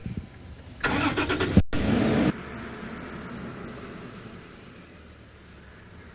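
Vehicle sounds during a sunrise safari drive: a loud broadband engine burst for about a second and a half, a sharp click, then a steady low engine rumble fading away.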